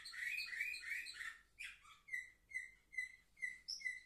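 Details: Young canaries at seven months, indoors, recorded 10 November 2023: a rich warbled burst, then a clean whistled note repeated evenly about twice a second.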